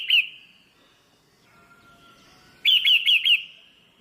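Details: Female red-whiskered bulbul stimulating the male: one clear chirp, a pause, then a rapid run of four bright, descending whistled notes with echoing tails.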